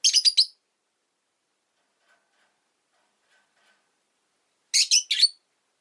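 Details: Five pet rosy-faced lovebirds caged by a window, one afternoon, making quick strings of three or four shrill chirps, separated by over four seconds of quiet.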